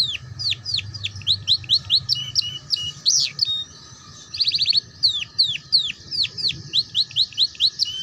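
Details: Canary singing ngeriwik-style phrases as a model for young canaries learning song. Long runs of quick down-slurred chirps are broken by a rolling buzzy trill midway, all high-pitched and steady.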